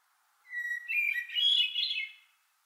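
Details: Summer song of a Hermit thrush from far northern forests: a clear sustained lower whistle, then a rising, echoing cascade of flute-like warbled phrases lasting nearly two seconds before fading; no other sounds.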